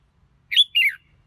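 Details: Red-whiskered bulbul singing a brief bright phrase: a sharp rising whistled note, then a slurred warble dropping lower, the two parts separated by a tiny gap, against a silent background.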